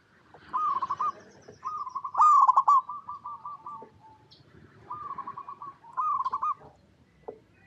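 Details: Local zebra dove singing eagerly: short rippling coo phrases, a louder stuttered coo with a trailing string of quick coos, then softer rippling phrases, with faint low background noise.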